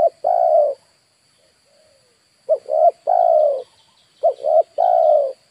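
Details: Spotted dove calling to lure wild birds, three-note coo phrases — two short clipped notes and a long falling third — repeated after a pause, with a soft distant coo and faint steady hum.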